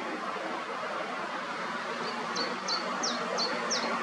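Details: Young white-tailed eagles, three growing chicks, with their family at the nest on 8 May in Alde Feanen National Park, Netherlands. Thin, high, downslurred yelps come about three times a second in the second half over a steady wind-like hiss.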